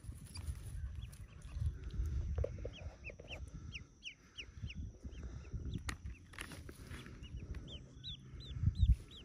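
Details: Many newly hatched yellow ducklings, about forty, in a cave nest: high, thin peeps that slide downward, repeated in quick bursts over low rustling and thumping noises.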